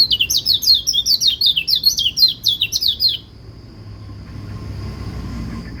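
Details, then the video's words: White-eye song that other white-eyes are said to answer: rapid, high, bright chirping twitter, notes sliding down and repeated steadily for about three seconds, then a faint steady high hum and low background rumble. "Pleci lain pasti ikut bunyi"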